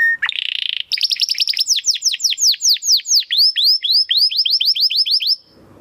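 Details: Belgian canary singing bright, high trills, then a rapid run of downslurred whistled notes, about four per second, ending in a sustained trill.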